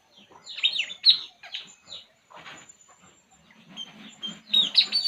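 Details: Puling bird at ease, uttering clustered, slurred downward chirps, a quieter pause, then soft repeated notes building to a final burst of loud high chirps.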